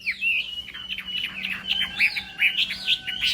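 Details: Chinese hwamei during morning contest singing, giving a long drawn whistle and then a series of short sweet whistled notes, roughly three per second, over a faint low hum.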